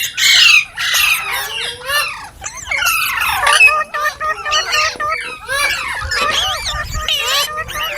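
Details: Loud, rapid chirping from a green parrot, clusters of bent whistles and harsh squeaks, pitch swinging quickly, with short breaks between phrases.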